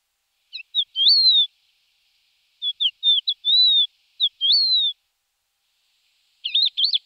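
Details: Thekla's lark (Galerida theklae) giving short bursts of clear, fluty whistles that slur up and down, in three brief phrases a couple of seconds apart, against a quiet background.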